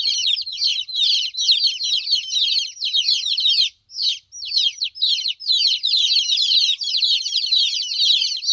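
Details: Motherless hen chicks crying, loud high peeps repeated about twice a second in an overlapping flood, with one clear pause midway before the chorus resumes.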